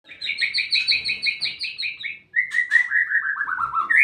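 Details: White-rumped shama song with a varied pattern: a rapid series of repeated two-part whistled notes, then a brief pause and a descending run of rich whistled notes ending on a rising note.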